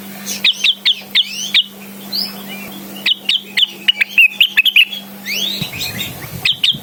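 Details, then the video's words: Cucak wilis in lively song, calling a rival: bursts of sharp, downward-sweeping whistled notes repeated rapidly in clusters, with brief pauses between phrases and a steady low hum underneath for most of the recording. "suara burung cucak Wilis / gacor memanggil lawan"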